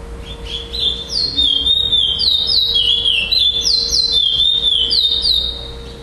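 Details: Chestnut-bellied seed finch (curió) singing in the pardo style at a first-place finish in a singing tournament in Florianópolis, Santa Catarina, Brazil, 11 December 2011. Clear, high, whistled phrases of slurred notes rise and fall, delivered rapidly for about five seconds over a steady low hum.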